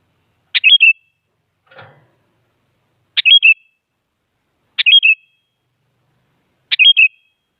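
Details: Sooty-headed bulbul, very active and meant to goad rivals into singing, repeating the same crisp whistled phrase, a sharp note then a wavering whistle, four times about every two seconds; one soft rustle.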